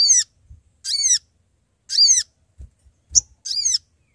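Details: Energetic sooty-headed bulbul calls meant to draw in companions as a trapping lure: four coarse, downward-sweeping notes spaced under a second apart, with faint low knocks between them.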